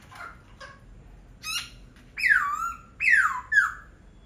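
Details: Laughingthrush song with soft chattering notes at first, then two loud, clear whistles, each sliding sharply down and levelling off, followed by a short upward flick.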